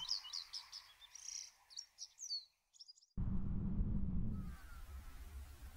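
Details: Japanese wagtail (Motacilla grandis) in May at a clear, shallow, stony river, where it bathes, gives a run of bright, high chirps and short twittering phrases for about three seconds, then rushing water or wind noise takes over.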